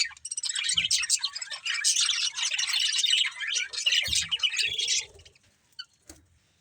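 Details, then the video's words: Breeding budgerigar pair giving a rush of quick, high chirps and scratchy twitters that run for about five seconds, then fade to near quiet with a single click. "Cute Budgies Chirping Sounds"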